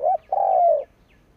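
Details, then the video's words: Spotted dove decoy bird giving its provoking coo: a brief arched note then a long, smooth, gently falling coo. "Cu mồi gáy gù / Tiếng chim cu mồi kích bổi / Cu mồi gáy bổi nghe hăng máu"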